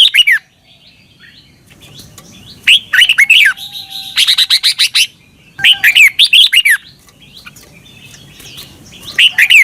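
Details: Training recording of a Red-whiskered bulbul from Thailand for caged birds: several bouncy phrases of quick slurred whistles, including one stretch of fast repeated buzzy notes, with short pauses between phrases.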